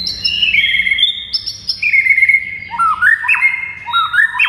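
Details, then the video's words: White-rumped shama song meant to make other shamas answer and grow agitated: long clear whistled notes at shifting pitches, followed by quick rising stepped phrases. "MURAI BATU GACOR , DIJAMIN MURAI MANAPUN AUTO NYAUT DAN NGAMUK SEKETIKA"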